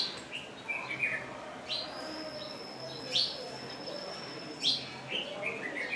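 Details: Wire-tailed swallows on a lodge roof in Pangani, Tanzania: short, sharp chirping notes at an irregular pace, with a thin steady high whine running underneath part of the time.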